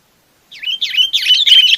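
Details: A Chinese babax calls its flock with a short, rising series of four harsh, slurred chirps that grow louder, ending abruptly; clean background.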